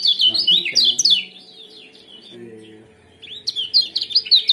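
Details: Lemon-bellied white-eye ciak-ciak chatter used to bring birds into breeding condition; a quick run of loud high downslurred chirps, a second of near silence with a faint low tone, then another rapid twittering burst.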